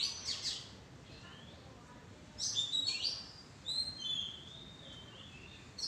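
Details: Oriental magpie-robin in a madan tree bower giving high whistled notes and short falling slurs in loose bursts, with a longer clear whistle near the middle and faint background hiss.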